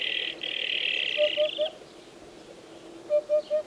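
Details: Hoopoe song: soft, low hollow hoots in triplets, 'oop-oop-oop', heard twice, partly masked by a loud continuous insect buzz.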